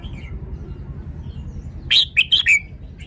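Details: A red-whiskered bulbul gives a single rapid burst of four clear, chirpy whistled notes after a second of near quiet, the last note sliding downward; a faint low rumble continues underneath.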